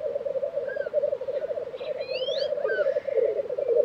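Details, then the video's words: Continuous low, rolling bubbling of black grouse at their April 2023 lek in Tiveden, Sweden, with faint rising whistles and short chirps from other birds above. "Black Grouse Lek - sound recording"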